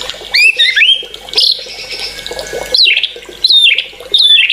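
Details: Agitated white-rumped shama giving short, high, sharp whistled phrases in separate bursts about a second apart, with some buzzy notes between them.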